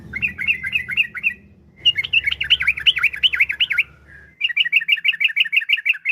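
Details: Yellow-vented bulbul lure song: a choppy chattering phrase, then a loud rolling warbled trill, ending in a quick even series of bright clipped notes; low hum underneath.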